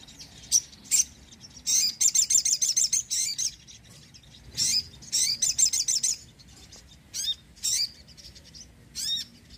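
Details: Sogon in lively song, meant to attract birds and prompt reluctant ones to sing; bursts of rapid high-pitched chirps, some trilled runs of ten or so notes, separated by short pauses.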